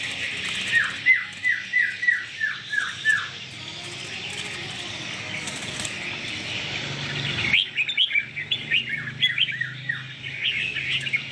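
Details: Red-whiskered bulbul kept as a caged competition bird repeats a fast series of clear down-slurred whistles, then switches to varied, jumpier warbled phrases against constant background hiss.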